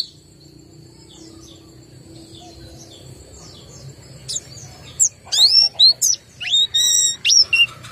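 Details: White-eye described as low in breeding condition or not singing strongly: faint high notes at first, then from about four seconds loud, sharp whistled chirps and rising and falling slurred notes in quick bursts.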